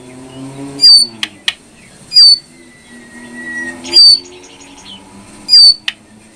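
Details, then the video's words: ['Brown prinia, recorded as training material for kept birds, delivering a strong buzzy note roughly every 1.5 seconds. Short ticking sounds and faint lower tones come between the notes.'] "masteran burung jongkangan coklat"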